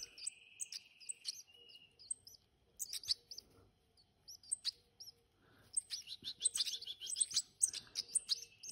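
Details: Chirping of hand-reared European goldfinches: sparse sharp high notes over a faint steady whine at first, building into dense overlapping twittering toward the end.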